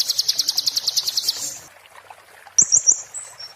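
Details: Fast, high rattling trill of a kolibri ninja in 'muntah beling' style, tutor song for magpie-robins, followed after a pause by a short series of sharp whistled notes.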